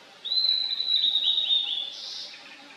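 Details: Blue-and-white flycatcher in a valley, 2023, gives a drawn-out clear whistle with fast flickering notes for about one and a half seconds, closing on a brief rasping burst.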